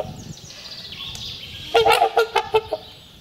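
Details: Trumpeter swans trumpeting as part of spring courtship and territorial marking; after a faint fading call and background hiss, a loud series of about six nasal honks in quick succession.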